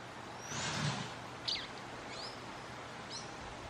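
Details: A young orange-fronted yellow finch at Hato La Aurora, Juan Solito, Casanare, gives three brief, high chips about a second apart, some rising, against steady hiss and a passing rush of wind.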